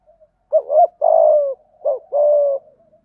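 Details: Decoy spotted dove calling in the 'giọng thổ' style, giving two low phrases, each a quick rolled double note and then a long buzzy coo held steady before fading, with soft murmurs between and no other sounds.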